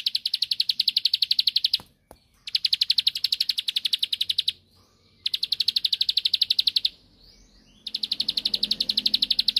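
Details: Bar-winged prinia song used to provoke a rival into answering: four bursts of very fast, evenly repeated high chipping notes, each lasting one to two seconds, separated by short silent gaps.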